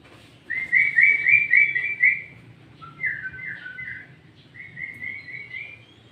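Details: Sooty-headed bulbul (kutilang) singing loud and clear as a lure call: a fast run of repeated whistled notes, a brief pause, a lower warbled phrase, then a softer trilled series, over a low background hum.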